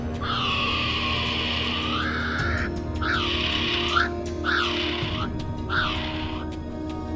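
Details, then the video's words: Kiwi, a nocturnal New Zealand bird, letting out harsh, piercing scream-like cries: one long two-second rasping scream, then three shorter hoarse cries that each drop in pitch at the end, with music playing underneath. "তবে মাঝেমধ্যে তা যেন আত্মাহীন করা গগন বিদারী চিৎকার"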